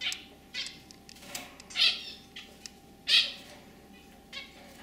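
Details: Pet zebra finches, a lively male with a throaty song and a white female that chirps simply, give scattered short high calls and clicks, two louder nasal notes standing out, over a faint steady indoor hum.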